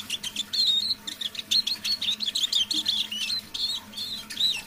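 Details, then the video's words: Kept decoy Eurasian siskin in quiet evening song, sung under its breath: a fast, continuous chatter of high twitters and short wheezy whistles, some notes sliding up and down, with a faint steady hum beneath. "Песня моего манного чижа"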